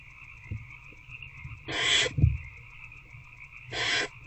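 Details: Barn owl in a nest box at night, 19 February 2024 around 9 pm, an adult feeding an older owlet one on one; two harsh, breathy hissing screeches about two seconds apart over a steady electronic hum and faint low thumps.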